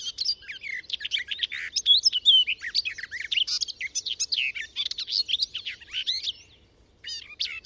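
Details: A garden warbler pours out a long, rapid, mellow warbling phrase of about six seconds, with a short pause before restarting. The phrases are delicately delivered, with less fluty endings and less contrast between chatter and full notes than a blackcap's.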